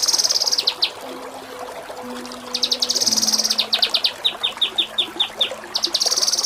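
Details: Kinoi song meant as a model for contest birds, with ngepik kapas tembak and nembak cililin phrases: high rattling trills alternating with clipped, evenly spaced downslurred chips about four per second, over faint steady tones.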